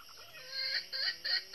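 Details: Northern red-eared red junglefowl hen used as a trapping decoy to attract wild males, giving three short, sharp clucks in quick succession over a faint background.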